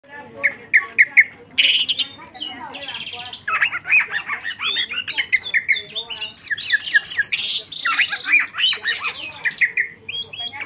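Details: Oriental magpie-robin (kacer) in energetic, high-emotion gacor song, used as a lure to stir other birds to sing: loud, fast, varied whistles, chattering trills and harsh squawky notes, rapidly alternating without pause.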